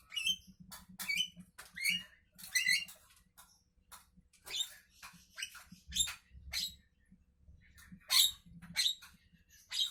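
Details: Javan myna (jalak kebo) singing in the morning: a run of harsh, scratchy, broadband chatter bursts, each under half a second, repeated about every second with short squeaky notes between, over a low steady hum.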